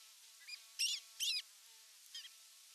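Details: Osprey on the nest at evening feeding time, 30 June 2022, nest camera: two loud, harsh, squealing call bursts in close succession, framed by softer, thinner chirps, over a low steady hum.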